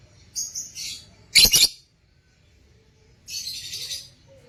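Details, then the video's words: Caged lutino opaline lovebirds: a short high whistle, a buzzy note, a loud harsh screech, a pause, then a raspy, chattering burst. "Love birds sounds"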